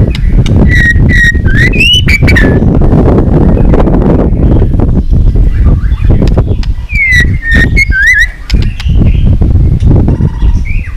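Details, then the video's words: White-rumped shama song meant to train voices and provoke birds into duelling song: short bursts of looping whistled notes at the start and again later, separated by a noisy pause, with a strong low background hum. "chòe lửa hót cực căng kích chim yếu lửa hót ,kích chim hót đấu, luyện giọng chòe lửa hót"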